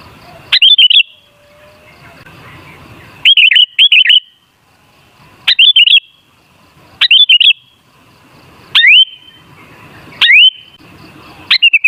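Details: Kutilang, or sooty-headed bulbul, singing as a lure to provoke other bulbuls into song: loud, short whistled phrases of upslurred and warbled notes, repeated roughly every one and a half seconds over a quiet background.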